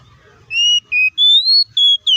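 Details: Oriental magpie-robin singing a combative song meant to provoke rival birds: a string of pure whistles, steady and gently rising tones separated by brief gaps, ending with higher clipped notes, no other sounds.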